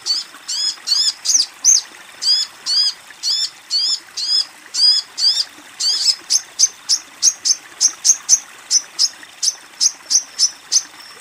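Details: A female sogon calls a male. Paired, buzzy, downslurred high notes repeat for about six seconds, then speed into a rapid, even stream of short, piercing chirps, around three per second.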